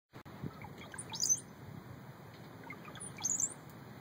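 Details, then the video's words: Two Brown-headed Cowbird songs near Glass Beach, Fort Bragg, California, each a few low liquid gurgles ending in a thin, very high squeaky whistle, about two seconds apart; faint outdoor hum behind. "Brown-headed Cowbird Song"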